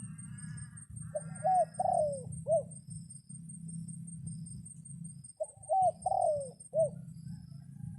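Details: A red junglefowl decoy crows to draw in wild birds in the rainy season, giving two quick four-note crows; a faint higher tonal sound comes just before the first crow, and a steady low rumble continues throughout.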